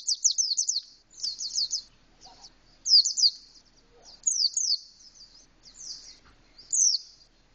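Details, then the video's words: Caged Indonesian white-eye singing in a canary-like style with an open beak: bursts of high, rapid downslurred twittering notes, each phrase under a second, repeated about every one to one and a half seconds with short pauses between. "Pleci rasa kenari full buka paruh"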